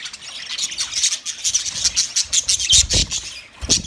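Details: Several budgies, 9 March 2024, chattering in rapid high chirps and scratchy squawks, getting louder toward the end, with some low knocking sounds.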